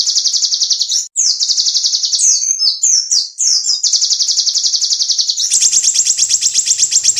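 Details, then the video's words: Clear, sharp full burst song of a small bird, meant for tutoring champion songbirds: long high rattling trills broken by short varied whistled flourishes, then a thinner, faster trill to the close. "SUARA BURUNG KECIL FULL TEMBAKAN"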